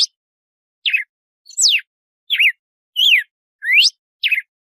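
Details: Red-cowled cardinal 'de açoite' song: seven separate whistled notes in under five seconds, mixing sharp falling slurs, rising sweeps and a rounded up-and-down note, evenly spaced against a silent background.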